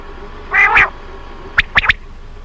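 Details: Common quail: a brief harsh, broad burst, then a quick run of three sharp, high, clicking notes over a low steady hum.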